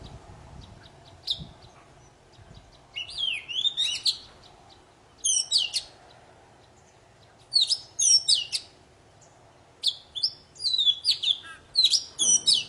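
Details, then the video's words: Poci bird, played to bring silent birds back into song: several separate bursts of tangled high whistles and rapid twittering, each lasting about a second, spaced by short quiet gaps. "Suara burung poci super gacor cocok buat memancing poci macet jadi bunyi"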